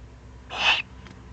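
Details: Below the breeding site of a Eurasian eagle-owl in the Eifel on 31 May 2020, a single rough, airy hiss about a third of a second long is heard, followed by a faint short echo-like rasp, over quiet low background noise.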